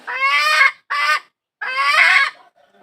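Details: Domestic hen calling for a rooster with three loud, raspy, harmonic squawks, the last one long and drawn out, each separated by brief silence.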